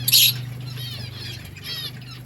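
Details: Lovebird breeding colony: one loud, harsh squawk opens, followed by busy high twittering from many birds over a steady low hum.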